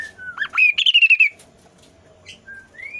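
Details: Kasu kasu bird singing constantly, used as a lure to prompt lazy kasu kasu birds to sing: a clear whistled phrase that rises, then a rapid run of bright pulsed whistles, a pause, and a short level whistle sliding upward.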